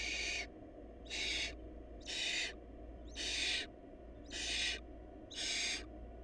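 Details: Food-short barn owl nestlings produce six evenly spaced, rough hissing screeches, about one per second, each roughly half a second long, with a low hum behind.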